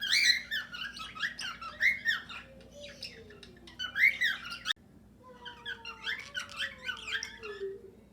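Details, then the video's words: Group of cockatiels sharing an aviary with budgerigars, singing and trying to whistle: busy squawking chatter broken by long, low, smooth whistles that rise and fall. "Calopsitas cantando e assobiando"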